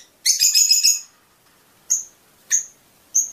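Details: A brief burst of harsh high twittering from a Fischer's lovebird, then three spaced single shrill chirps about half a second apart. The song is described as stimulating mating.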